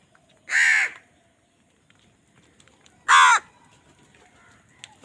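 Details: Loud crow calls during a fight over food, two coarse, grating caws spaced roughly two and a half seconds apart over a quiet background.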